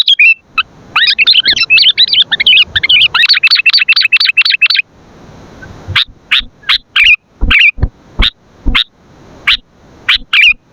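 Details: Sooty-headed bulbul in lively song for luring and training birds: an opening stream of rapid, warbling chirps, then a quieter pause, followed by spaced single sharp notes with knocking clicks.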